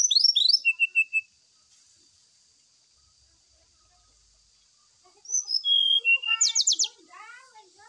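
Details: Brown-chested jungle flycatcher song, used as a lure while the captive bird is set out in the dew. It opens with fast whistled notes, pauses, then gives descending whistles and a buzzy trill, with softer chattering notes beneath.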